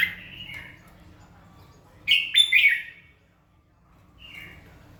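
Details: Morning song of a red-whiskered bulbul meant to rouse birds into singing: a loud tumbling burst of bright warbled notes mid-clip, with softer fragments before and after in a quiet room.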